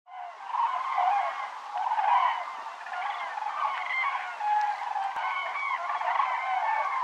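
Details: A flock of common cranes migrating south over Navarra in the Pyrenees on 1 November 2017, circling and regrouping overhead, gives loud, rolling, trumpeting calls that overlap into a continuous chorus.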